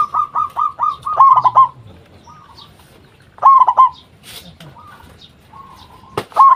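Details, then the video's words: Vigorously singing local zebra dove, recorded as lure song to prompt other zebra doves to reply: a series of quick repeated coos runs into a rolling trill, then a pause, then another fast bubbling phrase. "Perkutut Lokal Gacor RAJA PIKAT Ahlinya Bikin Semua Burung Perkutut Pada Nyaut"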